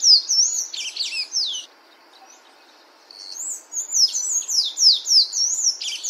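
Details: Sayaca tanager singing in nature: a fast phrase of high, squeaky, slurred notes, a pause of about one and a half seconds, then a longer run of similar twittering notes, over light background hiss.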